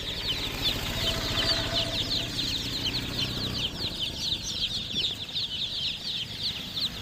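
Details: A crowd of chicken chicks peeping nonstop, their thin, high chirps overlapping into a busy shimmering chatter, with a low droning hum underneath during the first half.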